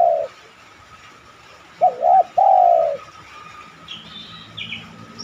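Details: Spotted dove cooing phrase used as a lure to prompt other doves to coo: a brief wavy double note and a long falling coo. A faint, higher chirping bird follows.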